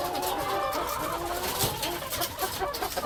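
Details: Chicken clucking: dense, scratchy, overlapping clucks forming a continuous noisy chatter, with brief louder bursts near the middle and toward the end and no clear pauses.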